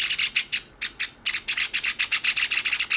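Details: Two young pet Java sparrows, a white chick and a sakura-coloured chick, beg from each other instead of feeding themselves. Sharp, high chirps come in rapid bursts of about four per second, with a short pause near the middle.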